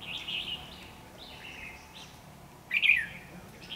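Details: Red-whiskered bulbul in a trapping session with a decoy bird, recorded 13 February 2016 in Vietnam; short whistled, warbling phrases around the upper-middle pitch, with a louder slurred burst near the end and a faint background hum.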